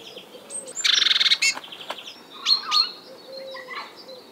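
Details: Eurasian jay in the morning giving an unusual imitation variant of its call: a rapid buzzy rattle of about a dozen pulses, then scattered sharp high notes, with other birds' thin whistles around.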